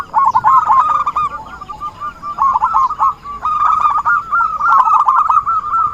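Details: Zebra dove lure sound for trapping: choppy phrases of fast rippling coo notes, with softer lulls between louder trilled bursts.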